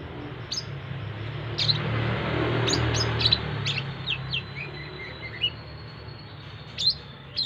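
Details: Brown-throated sunbird at a crowded roadside, where it is being accustomed to busy surroundings; irregular high, thin chirps and short slurred notes spaced through the recording, over a low traffic drone.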